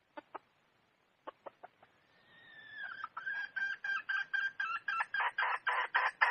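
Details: Wild red junglefowl hen: a few isolated clucks, then a long rising tone that breaks into a steady run of loud, evenly spaced clucking pulses, growing in strength.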